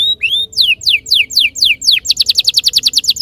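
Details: Canary lure song opening with a rising whistle, followed by loud descending slurs about four per second, then a quick even trill.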